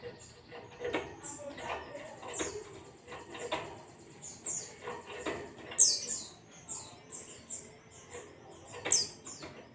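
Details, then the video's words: Busy white-eye 'ngalas' song meant to prompt caged white-eyes to sing: many short, high, sibilant chirps tumbling along, with two sharper loud notes in the second half and steady clicking noise beneath. "zosterops bird sound"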